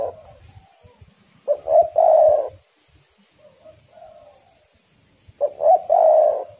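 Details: Spotted doves trading song excitedly, meant to encourage doves to call: two loud rolling coo phrases about four seconds apart, each with a stuttered start and a drawn-out mellow coo, with soft low coos between.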